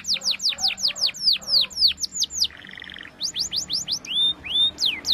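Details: Canary song used for training young canaries: rapid series of descending whistled sweeps repeated several times a second, a brief buzzy trill near the middle, then more sweeps and a few rising slurred whistles.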